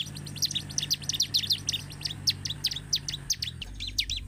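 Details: Bar-winged prinia (Prinia familiaris), song.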